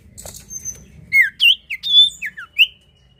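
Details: Common iora (sirtu or cipoh) in lively gacor song, played as a lure to get other birds singing: a burst of clear whistled notes, some rising and some falling, over a faint low hum.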